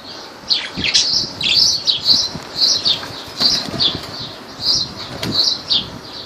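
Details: Lovebirds recorded in Laylan near Kirkuk, Iraq: a steady stream of sharp, high-pitched chirps, some slurred downward, repeated several times a second, with soft low knocks and handling noise underneath.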